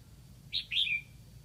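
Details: Decoy red-whiskered bulbul from Lạng Sơn calling to attract wild birds: one quick high note followed by a ringing whistle that falls and fades, heard over faint low-pitched background noise.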